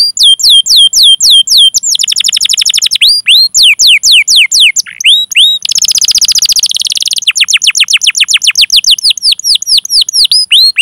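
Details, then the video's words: Canary singing a long rolling 'gacor' song with cuit-cuit chirps, used as a training recording to lure young, untrained or silent canaries into song; rapid downward-sweeping whistled notes, fast rolls, and a dense buzzy burst midway. "Masteran Suara Burung Kenari Gacor Panjang cuit cuit Ngerol untuk Pancingan Kenari!"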